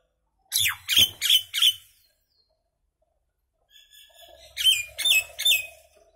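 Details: Common myna singing, four loud rasping squawks in a fast run, a pause of almost two seconds, then a thin whistle and another series of three harsh, gurgling bursts.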